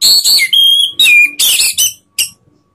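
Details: Orange-headed thrush song used in Indonesia to provoke rivals: clear whistled notes sliding downward, interleaved with rasping bursts, ending in one sharp short note after a brief pause.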